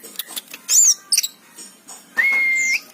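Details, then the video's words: Oriental magpie-robin (kacer) in gacor song, here sparse: a few sharp high notes and a looping whistle, then a long steady whistled tone held for about half a second. "Suara burung kacer gacor"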